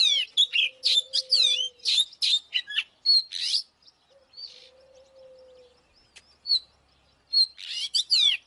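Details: Oriental magpie-robin in fighting song: a lively burst of loud whistles and slurred notes, then a quieter gap with a faint low steady tone and scattered notes, then the song resumes.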